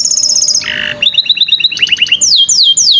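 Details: Canary tutor song for young canaries slow to sing. A high trill gives way to a low buzzy roll, then evenly repeated chirps and rising notes, ending in sharp, down-sweeping whistles.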